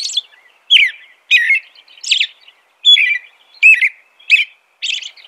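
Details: Song of the American robin: a steady run of short caroling phrases, each a warbled whistle dropping in pitch, delivered about once every 0.7 seconds with brief gaps between them.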